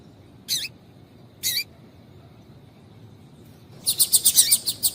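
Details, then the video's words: Female double-collared seedeater calling to get males singing: two separate sharp high chirps, then a fast burst of about eight quick bright notes in a rapid string near the end. "Piado de Fêmea de Coleiro para Esquentar Coleiro"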